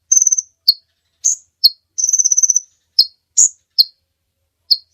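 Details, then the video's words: High-pitched kolibri ninja sunbird song used for tutoring songbirds. Two rattling trills, the second about a second long, are broken up by crisp single chirps spaced irregularly, in an otherwise quiet background. "Suara Burung Kolibri Ninja Pikat gacor Durasi Panjang mantab buat masteran"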